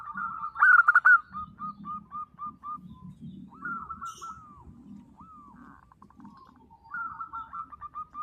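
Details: Local zebra doves: a loud rippling coo burst opens, followed by quieter strings of short hooked notes and a repeated phrase returning at the end over a low background murmur.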